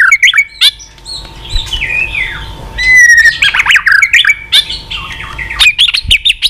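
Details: White-rumped shama used to stir up other shamas and make them sing eagerly, giving varied rich whistles, slurred rising notes and harsh squawky phrases with quick changes of pattern, over a steady low background hum.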